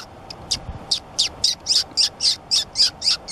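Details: White-tufted sunbeam at Mollepata, Cusco, giving a fast, steady series of high, sharp, slightly descending chips, about four per second, over a quiet background.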